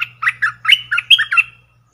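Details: Decoy streak-eared bulbul in a cage calling toward wild birds that circle without landing; seven lively, slurred chirps in quick succession, the final note drawn out, with a low steady hum underneath.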